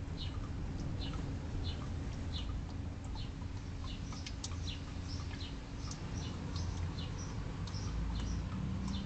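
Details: Several house sparrows bathing in a bird bath, briefly interrupted by a juvenile common grackle, give short, bright chirps in quick, irregular bursts, overlapping one another, above a steady low rumble and hum.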